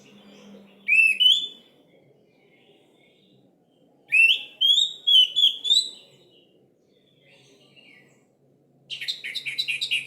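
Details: Orange-headed thrush singing a lure song for silent birds, likened to a lively canary: two rising whistled notes, a pause, a lively run of slurred whistles, then a rapid buzzy trill at the end.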